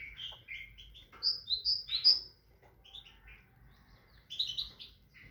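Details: Tit song in short bursts: high clear whistled notes in quick descending and rising pairs, separated by pauses, a later cluster of sweet chirps, faint low hum throughout.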